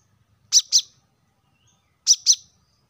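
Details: Plain-throated sunbird, known locally as kolibri kelapa, wiceh or manggar, used as a lively lure to get caged birds singing: two paired sharp, high chirps, the pair repeated once after a pause of about one and a half seconds, with a quiet background.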